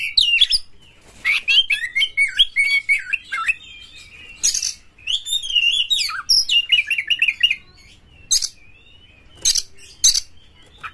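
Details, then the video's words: Champion kacer (Oriental magpie-robin) singing energetically with open tail to provoke rival kacer: long rich sequence of varied whistles and buzzy trills, followed by sparse harsh hissing bursts. "Pancingan Kacer Juara Gacor FullEmosi Buka Ekor KONSLET memancing KACER LAIN"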